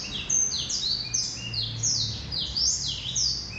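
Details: A male Black-throated canary sings a brisk sequence of high, downward-slurred notes repeated in quick succession, forming a bright, chattering warble with steady low background noise.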